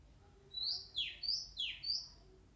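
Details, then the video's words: Wild Oriental magpie-robin, described as shy, singing a quick run of bright, high whistled notes, sharp rising and falling sweeps in close succession over about two seconds, against a quiet background. "SUARA ASLI KACER ALAM LIAR"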